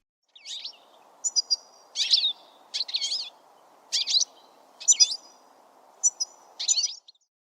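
A goldfinch sings bright, jingling bursts of twittering notes, about one every half second, over a faint steady hum.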